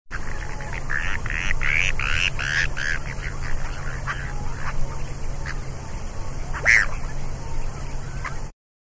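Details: Bonaparte's gull giving harsh, rasping, nasal calls, clustered in the first three seconds with a single later note, over a steady low rumble.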